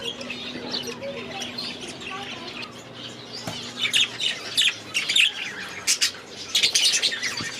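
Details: Young budgerigars in a new aviary: quiet opening with low hum, then bursts of high warbling chirps and squawks grow louder in the second half, a faint voice briefly audible.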